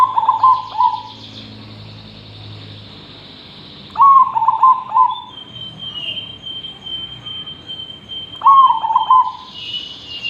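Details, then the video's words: Zebra dove (perkutut) in steady song, used as a tutor for training other birds: three soft, rolling cooed phrases, each about a second long, spaced roughly four seconds apart, with a thin high whistled tone in the background. "Perkutut Gacor,, cocok untuk masteran..!!!"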